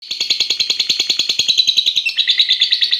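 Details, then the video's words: Caged lovebird, a six-and-a-half-month-old fighter trained for singing competitions, giving a long, rapid, unbroken string of harsh, buzzy chattering notes at about seven per second, high and steady throughout. "Love bird paud fighter durasi mewah 1menit"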